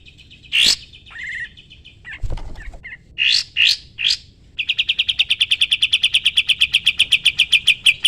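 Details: Sooty-headed bulbul in full song, used to train other songbirds: scattered sharp chirps and short buzzy notes, then a long, very fast, even trill running to the end.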